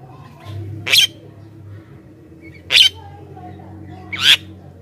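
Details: Javan myna sound meant to call wild mynas in from the forest: three separate harsh, rasping notes spaced nearly two seconds apart over a steady low hum.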